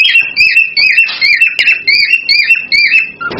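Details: Excited mating-stimulation song of a cockatiel: bright, slightly buzzy whistled phrases in quick succession, rising and falling, ending with a lower short note and a soft thud.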